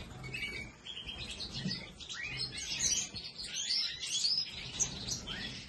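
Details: European goldfinch song: rapid, liquid twittering with quick rising and falling notes, slightly fainter, over a low background rumble.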